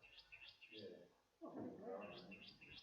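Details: Restless flycatcher giving one of its calls other than its distinctive one: a quick series of thin, rising whistled notes, about three per second, broken in the middle by a man talking.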